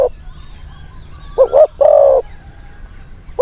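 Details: Spotted dove heard in decoy trapping of wild birds, its voice small and high: one clear phrase of two quick coos and a long coo, with fragments at either end over a quiet background.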